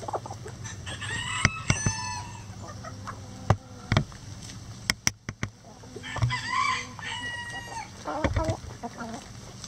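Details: Rooster crowing in a chicken coop: two long, harmonic-rich crows, one near the start and one past the middle, with scattered clucks and sharp clicks and knocks between them.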